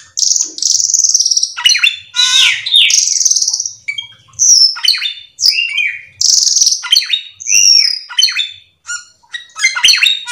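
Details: Cucak keling in nonstop, full 'isian' song, used to lure other cucak keling into singing: a dense, varied run of loud whistled slurs, harsh buzzy bursts and quick chirps, high-pitched, with short pauses between phrases and no other sounds.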